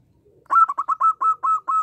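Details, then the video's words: Local zebra dove in lively 'gacor' singing with a small voice. A quick series of eight short, rolling coos at a fairly even pitch comes about five per second, on a clean quiet background. "Perkutut lokal gacor suara kecil"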